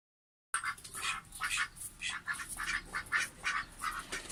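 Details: Pet male duck quacking, happy or calling out: after a brief silence, rasping quacks follow one another about every half second, each short and hoarse, in a steady chattering sequence.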